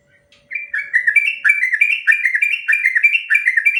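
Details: Trucukan (yellow-vented bulbul) in a long ropel song used to train other birds: a rush of rapid, liquid, slightly rising whistled notes, about two and a half per second, continuing unbroken after a soft start.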